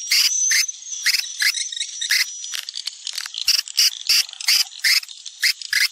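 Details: Sumatran-style swiftlet attraction call: short, loud, buzzy chirps repeated about three times a second over a faint steady high whine.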